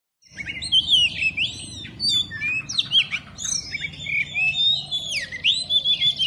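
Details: Oriental magpie-robin singing in the style Indonesian bird keepers call "telerrr konslet": a dense, varied run of sweet whistles, sharp upslurs and downslurred notes with barely a pause, and a faint low hum underneath.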